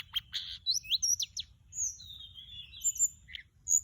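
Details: Mugimaki Flycatcher lure song: rapid high whistles, short sweeping chirps and buzzy notes, then a long thin descending whistled trill and a final bright upslurred note, over a faint low rumble.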